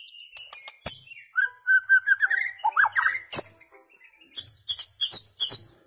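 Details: White-rumped shama, its song used to tutor goldfinches and their hybrids: sharp clicks, then a run of mellow whistled warbles and rolling notes, ending with a series of bright, high, repeated chirps.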